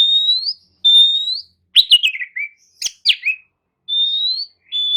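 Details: Lure song of the Oriental magpie-robin, used so sluggish kacer respond and sing. Long clear whistles gliding slightly upward, alternating with short bursts of sharp, tumbling chirps.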